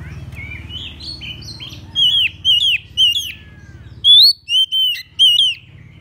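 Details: Oriental magpie-robin (murai kampung, murai cacing) singing as a decoy to lure rival birds and call them out to fight. Soft, sliding whistles open, then two bursts of loud, bright whistled notes, some rising and some falling, over a faint low hum.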